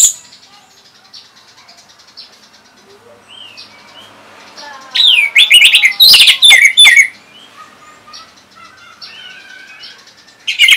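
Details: Orange-headed thrush singing, used as training sound for other songbirds: a long quiet stretch of faint twittering and slurred whistles, broken by a two-second burst of loud, harsh chattering and piercing whistles.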